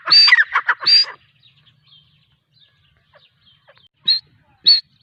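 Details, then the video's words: A female grey francolin makes a short burst of harsh, high squeaky notes in the first second. After a quiet stretch come two single sharp high notes, well spaced. "female teetar ki awaz"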